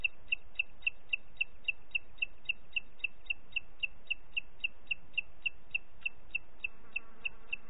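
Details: Booted eagle in Parc Natural dels Ports, recorded 30 June 2021 at 11:01, giving a long, steady run of sharp, high whistled notes, about three or four each second, with no pauses and a quiet background hiss.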